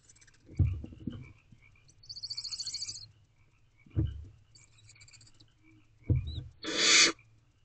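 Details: Barn owlets in an owl box at night, early May: soft dull thumps and shuffling, a faint raspy rattle, then a loud breathy hiss of under half a second near the end.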